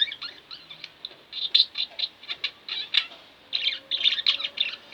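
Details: Pet budgerigars, two birds kept indoors, chatter continuously with dense, scratchy chirps and warbles, pausing briefly midway before resuming.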